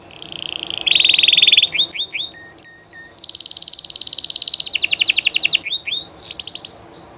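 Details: Llarguet español canary singing live: a sustained trill opens, then sharp descending notes and a long rapid buzzy rattle of high repeated syllables, ending in rising whistled slurs.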